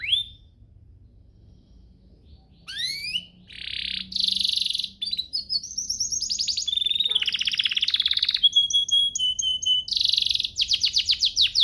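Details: Canary training song: quiet opening, then upward-swept whistles give way to dense buzzy rolls, sustained whistles and rapid chirp trills for the remaining seconds.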